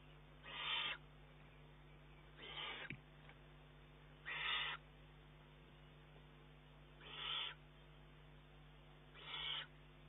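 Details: Begging juvenile Eurasian eagle-owl pressing its mother for more food, 19 June 2011; five short, breathy screeches spaced about two seconds apart, quieter and more distant, with a background hum.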